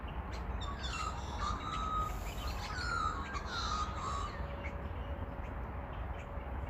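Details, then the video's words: An Australian magpie, just woken in the afternoon or evening, carols in the background with a few fluting, warbled phrases that slide and waver, under a steady low rumble of wind or handling noise. "And so yeah, that's one of the Australian magpies you can hear in the background."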